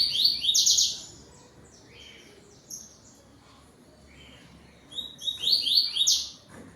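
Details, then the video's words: Yellow-billed Double-collared seedeater singing at 17:31 on 12 November 2025 as dusk falls, singing toward another bird: two quick bursts of high, sharp, tumbling notes about five seconds apart, with scattered softer notes between. "COLEIRO TUI TUI"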